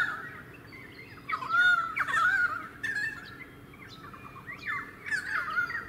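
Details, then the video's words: In suburban Sunshine Coast, Queensland, during February 2018, a pied currawong utters loud ringing, croaking whistles in uneven bursts after a quieter opening, with a faint steady hum behind. "Pied Currawong 2"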